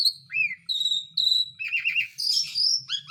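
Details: Lure recording of an Asian pied starling meant to prompt silent birds to sing: loud sliding whistles, a rolling warble, then a high buzzy note followed by quick upslurred chirps.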